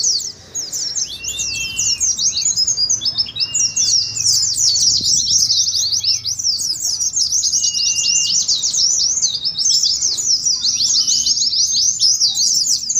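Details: Oriental white-eyes in a group, recorded as training audio and as a contest simulation to prompt chattering song. Dense, continuous, high twittering chirps overlap throughout, with occasional thin drawn-out whistles. A faint low rumble is underneath.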